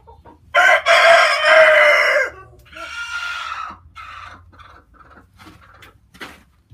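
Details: A chicken lets out a loud, harsh, drawn-out squawk, then softer broken cackles that fade into a few quiet clicks.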